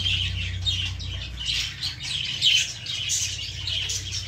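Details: Young lovebirds perched in a plant keep up shrill, overlapping twittering and short squeaky notes throughout, above a faint low mechanical hum.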